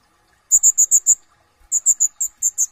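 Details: Konin (kolibri ninja, brown-throated sunbird) in lively ngobra gacor song with full isian tembakan: two fast bursts of five or six piercing high chips, separated by a brief pause.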